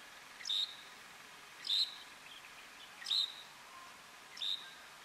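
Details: A great grey shrike of the subspecies algeriensis, at Tazarka, Tunisia, in November 2019, gives four short, sharp high notes about every second and a half against a quiet background.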